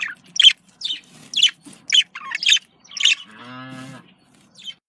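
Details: Budgerigar contact call chirps repeated roughly twice a second as bright short notes, broken near the end by a lower drawn-out droning tone, then one last chirp.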